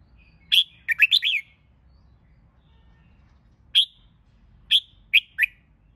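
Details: Red-whiskered bulbul used to rouse birds for contest singing: a brisk burst of four or five rolling whistled notes, a long pause, then a few separate sharp notes in a loose sequence.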